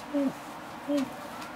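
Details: Pharaoh eagle-owl owlet about one month old: two soft, low hooting notes, each short and slightly falling, spaced under a second apart over a steady background hiss.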